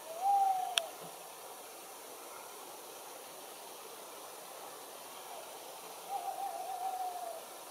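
Tawny owl giving two drawn-out, mellow hoots about six seconds apart, steady in pitch, over a constant background hiss and one sharp click.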